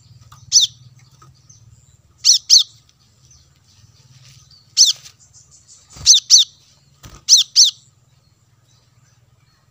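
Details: Plain-throated sunbird calling on lure audio meant to attract wild birds: high, clipped chip notes given singly or in pairs at uneven intervals over a faint low hum, plus a couple of sharp knocks.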